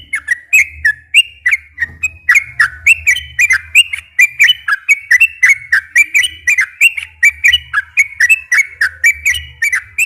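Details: Long, fluent 'gacor ropel' song of a sooty-headed bulbul, played to stir captive bulbuls to sing. A dense, unbroken run of bright whistled and slurred notes, rising and falling in quick succession, with a soft low hum.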